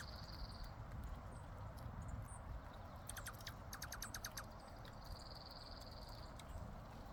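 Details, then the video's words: Birds making an unusual trilling noise: a rapid series of evenly spaced, sharp pulsed notes for about a second and a half, over a steady thin high whine and a low background rumble. "Birds Making a Unique Noise...Trilling?"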